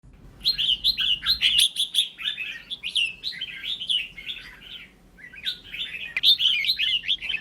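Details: Red-whiskered bulbul song meant to provoke other bulbuls into singing: dense runs of bright, warbled, chattering notes, a brief pause near five seconds, then a fresh burst of rapid phrases.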